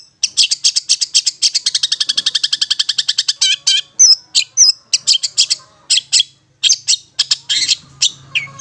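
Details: Long-tailed shrike (Lanius schach) song used to stimulate stressed or silent shrikes: a fast, rattling string of about thirty harsh notes, then scratchy chatter and squeaky whistled phrases.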